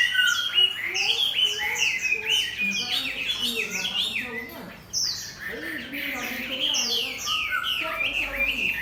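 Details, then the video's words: Chinese hwamei in a cage, matched against a fighting bird, pours out a dense stream of high, sharp, quickly changing chirps and squeaky notes with hardly a pause. "Hoạ mi 498: Xoè không khép (ốp đấu chim chiến)"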